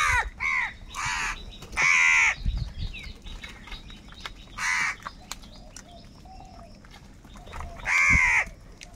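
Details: Crows calling angrily for food, a quick run of short caws at the start, then single harsh caws spaced a few seconds apart, with soft clicks and faint chirps between.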